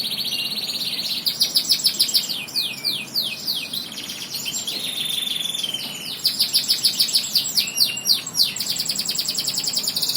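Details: Canary singing a long, continuous high song: rapid trilled rolls, fast buzzy repeated notes and sweeping downslurred whistles that change type every second or two, with a soft background hiss.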